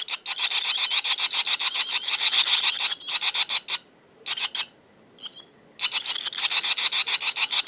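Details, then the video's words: Gang of barn swallows gives dense, high, raspy chattering in rapid pulses, about three or four a second, broken by brief pauses and one clear chirp. "Gang of Barn Swallows"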